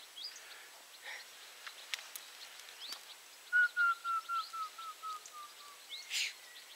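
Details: A Grey-headed woodpecker at 49.483453, 21.563118 gives about ten clear whistled notes that fall gently in pitch and slow slightly, over high chirps of other small birds.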